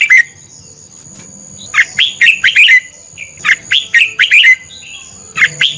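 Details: Red-whiskered bulbul kept as a lure bird, singing a contest-style song for training other birds: clusters of quick, bright, chirpy warbled notes in bursts every second or so, over a steady thin electronic-sounding tone.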